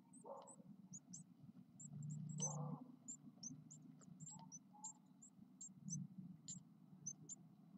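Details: A brood of ten Eurasian blue tit nestlings aged nine days gives scattered, thin, very high peeps, several each second, with soft low rumbling and brief mid-pitched scrapes in between.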